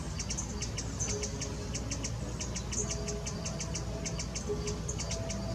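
A hummingbird gives sharp, very high chips, three or four a second at an uneven pace, over a steady low rumble.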